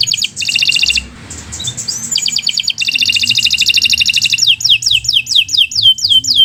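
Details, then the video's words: Long canary song meant as a model for training other birds, given morning or evening: dense metallic trills, a brief rising whistle, more rolling trills, then quick repeated downslurred notes over faint background hum. "Kicau Burung Kenari 135 II LUAR BIASA GACOR PANJANG Cocok untuk Masteran"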